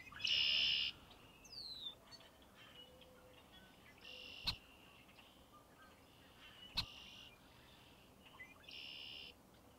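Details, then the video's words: Red-winged blackbird delivering harsh, buzzy trilled phrases, a strong one at the start and fainter repeats every few seconds, with a brief descending whistle and a couple of sharp clicks. "The Song Of Red-Winged Blackbird"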